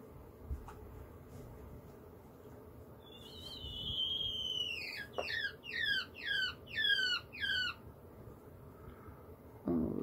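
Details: A female quail gives a long, thin whistle, then five quick, squeaky falling notes about a third of a second apart, over a low indoor hum, just after laying her second egg, seemingly in pain.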